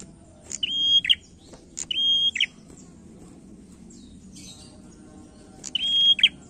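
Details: Male prinia singing as a lure to draw other birds into song: three loud phrases, each a flat sustained whistle ending in a sharp buzzy burst, spaced about two to three seconds apart over faint low background hum.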